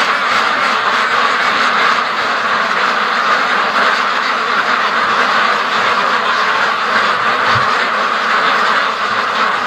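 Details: Hundreds of free-range ducks rushing to the lake in the morning, their quacks merging into a steady, unbroken wall of sound with one short low thud.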